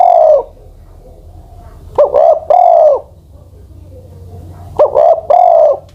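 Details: Elderly spotted dove decoy, aged beyond ten years, finishing one coo then giving two full phrases of a clipped note followed by a pair of mellow, drawn-out coos.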